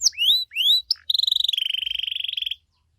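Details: Canary with the 'cengkok mewah' song style used to make other canaries respond: two rising whistled sweeps, a short note, then a rapid even high trill lasting about one and a half seconds.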